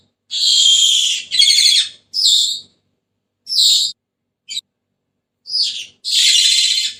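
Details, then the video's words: Senegal parrot producing grating, buzzy screeches. Two long harsh calls are followed by shorter squawks and a quick clipped chip, with quiet pauses between them. "تغريد ببغاء السنيغالي the sound of the parrot senegal"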